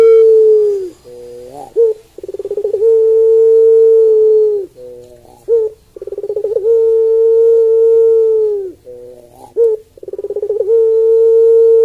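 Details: Puter pelung Barbary dove repeating a pure, flat, hooting coo held for about two seconds. Each coo is led by a stuttering run of quick rolled notes, about three cycles in total, in a quiet setting.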